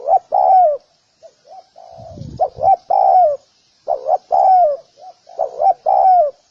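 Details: Repeated cooing of a spotted dove: paired short coos leading into a drawn-out falling croo, several phrases in a row, with a few softer quiet coos and a brief low thump midway.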